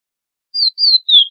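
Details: Chestnut-bellied seed finch in classic Florianópolis song for teaching chicks: after silence, three clean whistled notes, each gently falling in pitch, the last one lower and longer.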